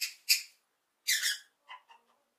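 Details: Lovebird chirping happily, giving two loud, harsh, high squawks, then a longer rasping call followed by a few softer short chirps that fade out.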